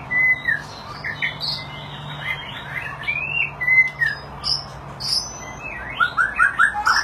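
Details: Displaying white-rumped shama delivering a varied many-voiced song: pure whistled notes, upslurred and downslurred phrases, then a fast run of descending chips near the end, separated by short pauses. Faint low hum underneath.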